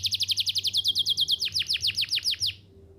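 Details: Canary singing to help young canaries learn their song: a quick run of evenly spaced high chirped notes, about six per second, shifting into steeper downward-swept whistles before stopping abruptly.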